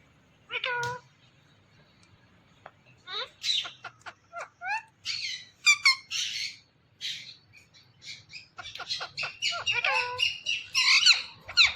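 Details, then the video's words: Pet Indian ringneck parakeet, shown as a talking bird, making quick, varied chatter. Short clipped notes, curling whistled syllables and raspy squeaks come in scattered bursts with brief pauses. A faint low background hum is present. "Indian Ringneck Talking Parrot"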